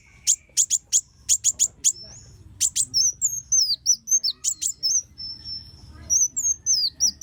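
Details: Kolibri wulung sunbird singing as a training model for songbirds: sharp, very high ticking chips in quick clusters, followed by thin whistled slurs and wavering squeaky notes, with a faint low hum underneath.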